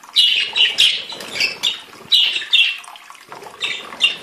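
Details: Budgerigars singing, clear sharp chirped notes given in pairs and short runs, then a pause and two further chirps, soft chatter underneath.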